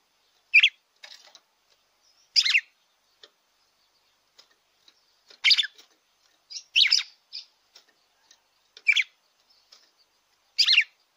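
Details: Red-cowled cardinal singing to warm up a kept bird: a series of sharp, high, buzzy chirp phrases spaced one to two seconds apart, with soft clicks between, in otherwise quiet surroundings.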